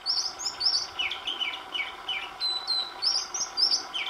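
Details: Oriental magpie-robin singing over several recording days, a new tune daily; rich, fast sequence of very high clear whistles interleaved with lower downslurred notes, loud and continuous.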